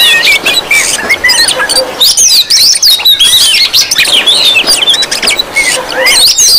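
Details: Noisy crowd of Oriental magpie-robins calling together to lure and provoke others of their kind: tangled high whistles, upslurred and downslurred notes and quick chirps crowding over one another almost continuously.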